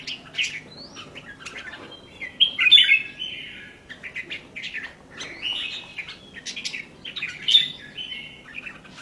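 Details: Caged red-whiskered bulbul gives scattered chirpy, warbled phrases, the strongest burst near two and a half seconds and another near seven and a half, amid low background rumble.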